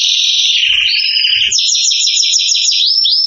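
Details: Excited canary singing a continuous high trill, steady tones shifting into fast slurred rolls near the end, clean and loud with no other sounds.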